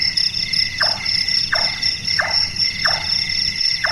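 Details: Caprimulgus macrurus, the Large-tailed nightjar, a nocturnal bird sounding like someone working wood: five evenly spaced 'chonk' knocks, each dropping in pitch, roughly every 0.65 seconds, with crickets trilling steadily behind.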